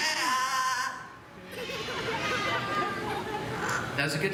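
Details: A parrot named Groucho at Animal Kingdom, Walt Disney World, Orlando, Florida, 2 May 2023, sings a wavering, tuneful, human-like melody in mimicry when a presenter asks it to sing, with crowd murmur and applause in a large hall.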